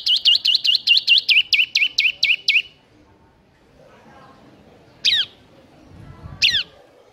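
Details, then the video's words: Lively ngebren singing from a bar-winged prinia: a brisk string of about twelve hooked, upslurred chirps, followed by two separate sharp descending call notes. "Ciblek NGEBERN GACOR"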